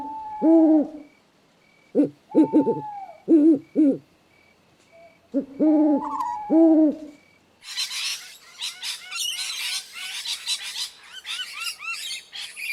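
An owl gives a string of deep, loud hoots in short bursts over about seven seconds, followed by a rush of high, busy chirping from other birds.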